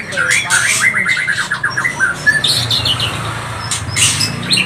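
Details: White-rumped shama singing as a lure for other birds; a quick series of repeated whistled notes followed by softer scattered chirps and buzzes, with a low hum behind.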